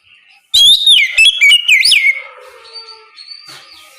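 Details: Oriental magpie-robin singing in the ngeplong style in the morning, a song used to prompt other magpie-robins to answer: a loud burst of rapid, clear whistled notes sliding up and down, then fading into a quiet trailing echo.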